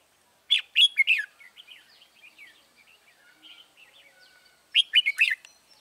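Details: Decoy red-whiskered bulbul calling wild birds in Dong Nai, Vietnam, on 21 January 2018: two loud bursts of three or four rich warbled notes about four seconds apart, with soft twittering between.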